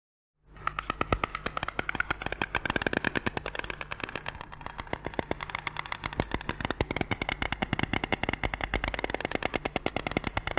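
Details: In Central Russia, a white stork clatters its bill in a long, rapid, dry rattle of wooden clicks, many per second, running unbroken over a faint low hum.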